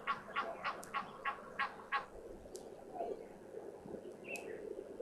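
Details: At an African waterhole on an afternoon of 23 August 2024, an Egyptian goose gives a quick run of about seven harsh, raspy honks at a nearby crocodile, telling it to move off, then falls quiet; faint distant calls.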